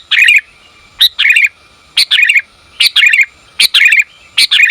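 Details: A female sooty-headed bulbul calls to the male: paired notes, a sharp click then a longer bubbling, warbled twitter, repeated about every eight-tenths of a second, loud and clear.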